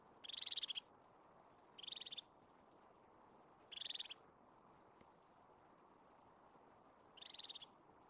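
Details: Crested tit in Scotland's Caledonian pine forest giving four buzzy rattling trills, each under half a second, separated by pauses of one to three seconds.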